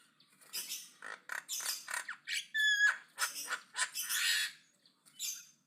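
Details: Javan myna in aggressive, loud chatter: bursts of harsh rasping squawks and noisy screeches, one clear whistled tone in the middle, broken by short pauses.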